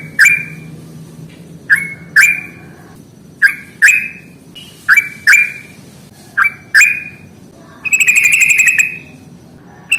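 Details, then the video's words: Yellow-vented bulbul's ngalas fighting song, a lure for birds lazy to sing: repeated pairs of sharp, clipped whistles about every one and a half seconds, ending in a rapid buzzy trilled whistle lasting nearly a second. "SUARA trucukan NGALAS tarung AMPUH atasi burung malas bunyi"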